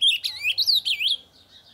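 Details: An ultramarine grosbeak sings loudly so that other birds will start singing. A tumbling string of sweet, looping whistles lasts just over a second, then fades into quiet.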